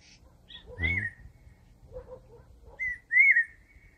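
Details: Cuckoo singing in the evening about 30 metres away at Ao Châu, Hạ Hòa, Phú Thọ: clear, slightly rising whistled notes, with a soft scratchy chatter and low rumbling noise between phrases.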